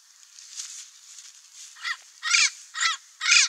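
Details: A wild turquoise-fronted parrot (Amazona aestiva) calls over a hissing background: after a quiet first half, four coarse, raspy squawks follow one another about half a second apart, growing louder toward the end.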